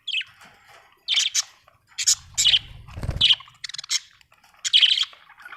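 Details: Budgerigar giving bright, buzzy chirps in bursts about once a second, with a rapid ticking run and a low rumbling thump partway through.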